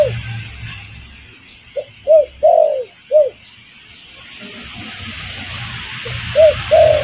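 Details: Spotted dove lure call for luring wild birds: a burst of four low, mellow coos, the third drawn out, then silence before two more coos at the end.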